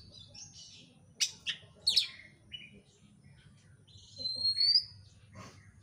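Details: Oriental magpie-robin lure song to spur another bird into song, with quick high chips and slurred notes followed by a long rising then falling whistle and a few softer chirps over a low hum.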